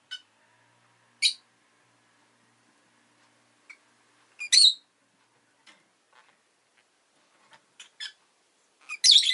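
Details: Irregular high, sharp chirps from two newly added pet rosy-faced lovebirds, with single notes spaced a few seconds apart, build to a harsh, dense burst of squawky chirping at the end.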